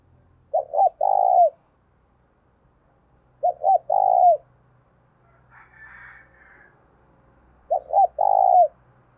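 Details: Decoy spotted dove cooing steadily, used to make another bird coo: three phrases about three seconds apart, each a quick double coo and a long croo, with a brief higher rough sound between the last two.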